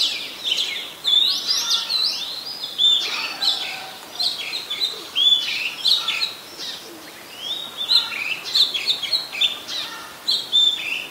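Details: Oriental magpie-robin, a very common resident, singing at Ubon Ratchathani, Thailand, on 26 December 2020: a continuous run of varied clear whistles and quick slurred notes, rising and falling phrases with short pauses, steady outdoor background.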